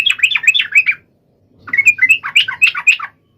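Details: Lively yellow-vented bulbul song meant to call a rival: two quick bursts of twisting, bubbling chirps with a one-second silence between them.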